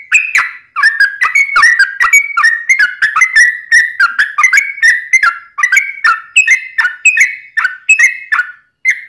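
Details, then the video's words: Ropelan-style song of a Yellow-vented bulbul, a long rapid stream meant for training birds and drawing in wild ones. Chattering, gurgling whistled phrases run almost without pause, each note flicking up and down. "Kicau Trucuk Ropelan Panjang Ngelituk Tanpa jeda"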